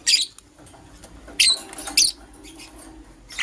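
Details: Morning chirping from pet lovebirds, a green personata and a yellow pastel pied: loud, high, rasping chirps in short bursts with gaps between, and a soft background hum.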